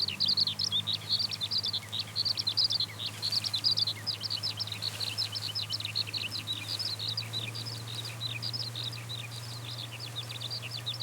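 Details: Skylark rising into the sky while singing. The rapid, high twittering song starts loud and becomes slightly fainter, with a steady low hum underneath throughout.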